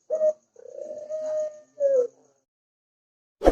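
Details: Ringneck dove (burung puter) in a training recording, giving one phrase: a brief opening note, a long even coo and a downward-sliding last note, then silence and a sharp click.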